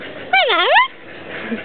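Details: A cockatoo, described as having totally lost it, gives one loud harmonic squawk lasting about half a second. It dips in pitch and then rises again, against quiet room noise.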